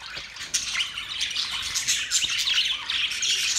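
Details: Budgies calling on the morning of 1 October 2023, a steady stream of thin chirps and grating squawks that grows slightly louder after a sharp click at the start.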